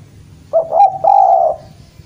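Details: Single cooing phrase from a spotted dove (derkuku jawa) calling a rival: a quick double note, then a sustained, slightly wavering coo lasting about half a second, over a quiet low hum.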